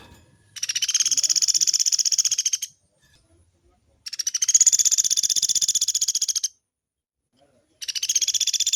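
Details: Woodpecker used as a model for training caged songbirds, known for long rolling phrases: three sustained, high, buzzy trills of quick even pulses, each about two seconds, with short silent pauses between.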